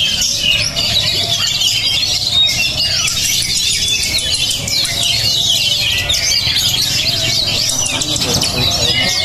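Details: Oriental magpie-robin (kacer), described as fiery and tough, singing a long, crowded string of high chattering phrases and squeaky whistles, with soft low rumbling and occasional lower chirps behind.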